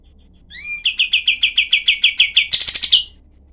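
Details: Cream-vented bulbul (kapas tembak) tutor song in the harsh, tightly packed 'tembakan' style: a rising whistle, a dozen quick sharp notes, then a brief chattering flurry.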